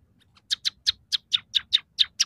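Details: Scaly-breasted munia singing one of three song variations: loud, evenly spaced sharp chirps, about four or five per second, each a quick harsh downward note, with a faint low hum beneath.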